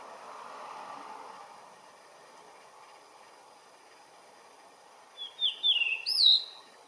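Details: Blue rock thrush singing: after several seconds of quiet background hiss, a short, bright phrase of clear whistled notes, some sliding upward, delivered in quick succession near the end.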